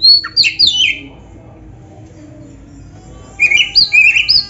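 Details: Oriental magpie-robin song played to draw caged birds into singing: a short cluster of high slurred whistles, a long silent stretch, then several clear rising and falling whistled notes.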